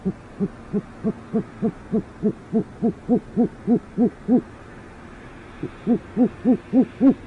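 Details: Great horned owl pair in urban northwest Oklahoma City; the male tries again without success while the female is heard but not seen. Fast run of short, low, evenly spaced hoots, about three a second, a brief pause, then the run resumes.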